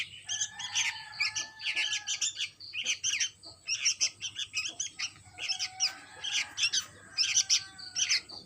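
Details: Chick of the sooty-headed bulbul chirping busily in dense high clusters, with a faint steady whistled tone running beneath some passages.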